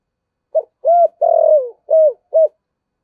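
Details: Spotted dove kept as a decoy, singing in the 'giọng thổ' style: a run of five hollow coos. The middle coo is longest and falls in pitch, and the others are short and rounded.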